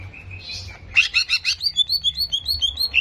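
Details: Greater green leafbird song used to rouse aggression in a contest bird: a soft level whistle, a harsh burst, then quick clear whistled notes repeated about five per second.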